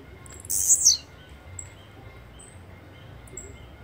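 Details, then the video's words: Blue-black grassquit (Volatinia jacarina) song: one brief, very high, buzzy descending burst lasting about half a second, followed by faint thin whistles and a low background rumble. "Canto de Chirrio"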